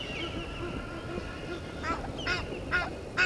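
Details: At a waterhole on Djuma Game Reserve in South Africa's Sabi Sand, Egyptian geese dispute with intruding geese at 17:08 on 10/04/21; after a quiet start, four short, rasping honks come roughly every half second over steady background hiss.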